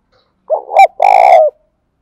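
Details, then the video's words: Decoy spotted dove cooing to lure other doves. Two short, clipped low notes, then one longer, purring, sustained coo that fades down at the end. The background is silent. "tiếng cu gáy mồi chuẩn anh em mà mở lên là cu mồi và bổi gáy theo cả ngày"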